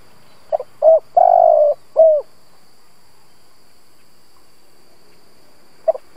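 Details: Spotted dove decoy bird luring other doves, giving a full cooing phrase (short stutter, round coo, long throbbing coo, drooping end note), then silence before a fresh phrase begins near the end.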